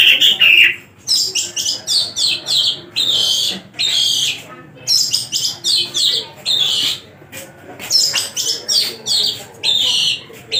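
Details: Caged tame Javan long-tailed shrike singing hard with a full repertoire: clusters of rapid sharp high chirps in quick sequences, broken by short pauses, an opening whistled phrase, continuous and close.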